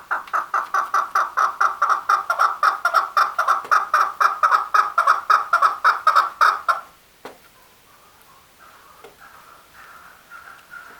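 A male chukar gives a fast series of loud, harsh clucking notes, about two per second for seven seconds, then falls quiet with faint background sounds.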